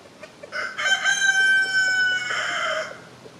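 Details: Free-range rooster crowing in spring woodland while hens scratch about and chase bugs. One long, loud, harmonic crow rises in a few short steps, holds a steady note, then ends in a rougher drawn-out fall.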